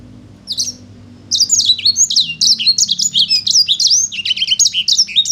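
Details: A sanger paud singing energetically begins with one soft, isolated high note, then after a pause launches into a fast, continuous chatter of sharp high whistles and twittering slurs that carries on to the end.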